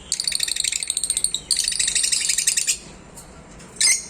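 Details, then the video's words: Lovebird calling: a fast run of sharp, high chattering chirps for about a second and a half, then a denser burst of rapid squeaky notes, a pause, and one short shrill squawk at the end. "different sound🔊 of love Bird"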